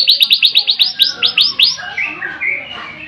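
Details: White-rumped shama singing: a rapid run of about a dozen arched, clear notes, sliding slightly lower, then softer, lower warbling phrases over faint background noise.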